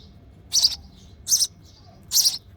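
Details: A hungry sparrow chick in the nest, calling as its mother feeds it, gives three harsh, high-pitched begging chirps, one about every 0.8 seconds, over quiet low background hum.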